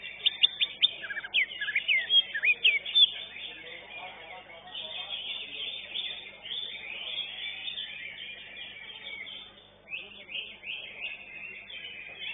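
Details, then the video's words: Greater green leafbird singing at a contest where it took first place: a burst of quick, varied whistles and chattering notes at the start, then fainter, scratchier phrases against constant background noise and distant voices. "JUARA 1 CUCAK IJO"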